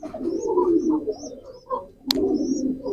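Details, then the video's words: Low, continuous, throaty cooing from a pigeon, interrupted by a single sharp click. Thin high chirps of small birds sound throughout. "pigeon call and sound effect,কবুতরের ডাক।"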